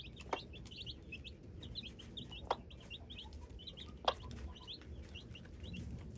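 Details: Hybrid chicks give clustered high peeps, brief and rising, broken by three loud sharp taps spaced a couple of seconds apart, over a low hum.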